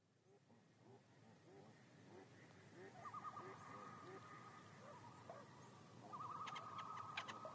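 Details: Common loon giving wavering, quavering calls that start faintly, then swell into a sustained rapidly trembling note around three seconds and again near six seconds, with a few sharp clicks near the end over a soft background hiss.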